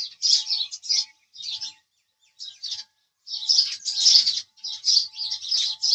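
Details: House sparrow chirping, with short groups of sharp chirps, then a silent stretch of about a second, then a denser, louder burst of overlapping chirps; faint hum in the background.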